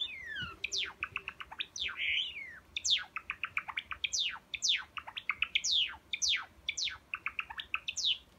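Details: Silver Java sparrow, a caged pet, singing a lively repeated phrase: rapid clicking chirp runs punctuated by clear whistled notes sliding sharply downward, about two per second, continuous throughout.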